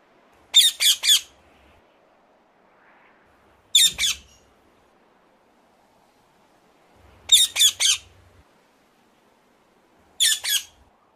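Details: Shrill, grating squawks from a ring-necked parakeet, delivered in short groups of two to three notes spaced several seconds apart, silence between.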